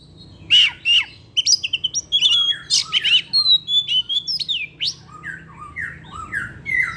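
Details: Oriental magpie-robin, a kept songbird singing its afternoon song in full with learned phrases. Rich varied whistles and sharp chirps, then a run of repeated falling slurred notes, about two a second, near the end.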